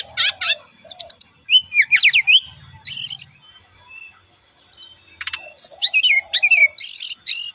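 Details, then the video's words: Brown-chested jungle flycatcher singing its relaxed lure song, a lively stream of varied whistles, trills and buzzy rattles delivered in quick bursts with short pauses between phrases. "SRDC Bunyi Santai Pancingan"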